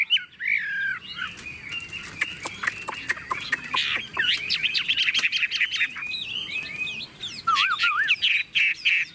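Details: Tame caged Chinese hwamei in full song while its cage is carried by hand and shaken: a dense, continuous stream of rich whistled phrases with rapid trills, wavering notes and a few lower looping whistles.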